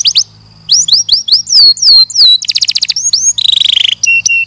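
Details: Canary song of varied phrases: repeated slurred whistles, a rapid bright trill, a harsh buzzy rattle, and a few clipped high notes to finish.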